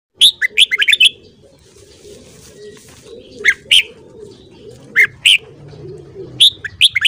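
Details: Red-whiskered bulbul singing in the morning: a rapid cluster of bright, liquid whistled notes, then two short separate phrases and a final burst, over a steady low murmuring background.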